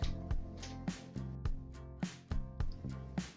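Rhythmic instrumental music with steady bass notes and percussive hits, and no animal voice anywhere.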